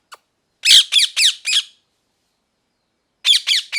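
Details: Parrot calling: one short click, then four loud grating squawks in quick succession, a silent gap, and three more harsh descending squawks.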